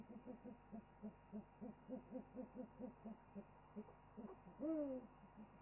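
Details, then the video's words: Owl chorus from a wildlife webcam: a rhythmic train of low, short hoots repeated several times a second for about four seconds, ending in one louder, drawn-out arching call. "After an owl chorus, PPO preens and settles down"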